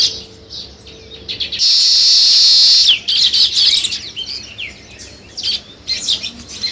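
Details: Scattered sparrow chirps, then a loud, hissing burst of noise for about a second, followed by sharp tweets that return in uneven clusters.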